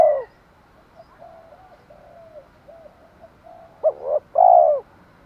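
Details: Spotted dove in the 'thổ pha thúc đấu' style, calling to lure wild doves. A coo tail, a run of soft low murmured notes, then a sharp short note and a full drawn-out low coo.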